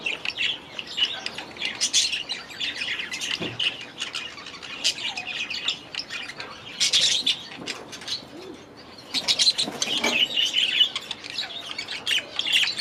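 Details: Several young budgerigars, hatched last year, settling into a new aviary; continuous chirping chatter in waves with brief quieter gaps and a few wingbeats.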